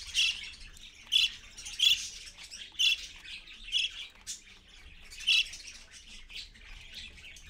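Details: Parakeet parent and chicks at 6:20 AM, dated 4.1.15; harsh, bright squawks repeat about once a second in a loose series, seven or so strong notes with quieter chatter between, otherwise fairly quiet.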